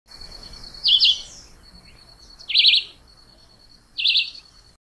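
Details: Chivi vireo (juruviara) singing: three short, buzzy warbled phrases spaced about one and a half seconds apart, over a continuous steady high insect-like drone and low background rumble.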